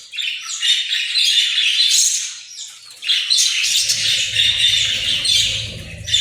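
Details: Australian parrot chattering in long raspy, warbling bursts separated by a short pause, with low background rumble in the second half.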